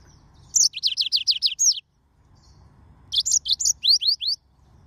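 A yellow-fronted canary sings two bright bursts of about seven quick, high, down-slurred notes each, separated by a short pause, over faint low background hum.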